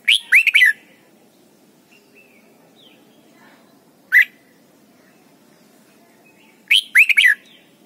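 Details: Red-whiskered bulbul singing as a training song for young birds: quick gurgling whistled phrases of three to four notes, a lone sharp note midway, then another phrase, with a faint background hum.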